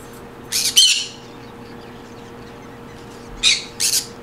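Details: Green conure squawking in two paired bursts, each pair of harsh, rasping calls close together, separated by about three seconds of quiet hum.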